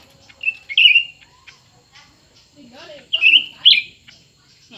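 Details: ['Cucak ranting, two birds dueling in song, one newly kept and one long kept: warbled whistled phrases in two bursts with faint lower chatter between.']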